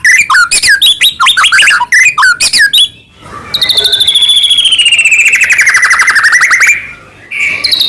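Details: Persistently singing white-rumped shama, Medan type, whose song full of fillers serves to goad other shamas into song; a quick run of varied chirps, a short pause, then a long fast trill sliding slowly downward.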